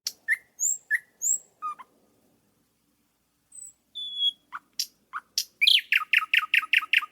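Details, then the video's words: A thrush nightingale sings in Latvia: sharp, high whistled notes and short clicks, then a loud rapid series of hard chock notes, about six per second. "Here is a recording of a nightingale song in Latvia."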